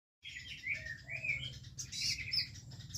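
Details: Oriental magpie-robin, known as kacer trotol, singing loud varied whistled and buzzy phrases, sliding up and down, with a low hum beneath.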